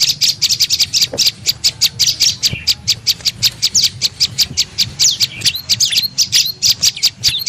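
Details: Prenjak lumut tailorbird lure sound meant to attract birds: rapid, repetitive sharp chirps with occasional slurred, swooping notes near the end, unbroken for the whole stretch, low hum underneath.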